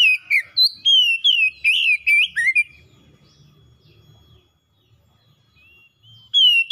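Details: Caged oriental magpie-robin sings a rapid burst of loud, slurred whistles, then falls quiet amid faint low background noise before another whistled note at the end.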